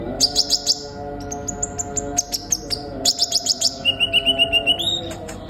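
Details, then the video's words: Sunbird singing in a fast, busy pattern: rattling high chirps, bright rising whistled notes, and a closing even trill of repeated chips, around four notes per second. "Terapi burung kolibri ninja gacor utk memancing konin bahan cepat bunyi"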